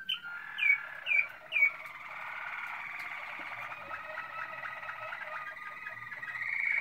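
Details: Malinois Waterslager canary in 2016 starting with three loud upward-flicked notes, then a long, even rolling tour of low bubbling pulses over a sustained whistle.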